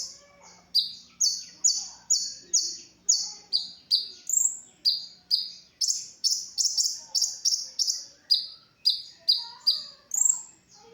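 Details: ['Brown-throated sunbird, recorded to teach other songbirds its song: a long, rapid run of high, sharp chirps, about two per second, alternating between slightly higher and lower notes.']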